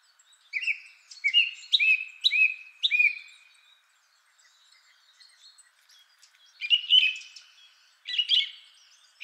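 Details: Male Song Thrush, first of three, in rich song: a whistled note repeated about five times in quick succession, a silent gap, then rougher, complex phrases.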